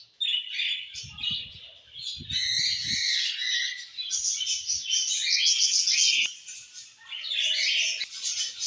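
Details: Evening chorus of budgerigars: fast, overlapping warbled chatter and clicking chirps, with a few low knocking sounds early on, continuous high twitter throughout.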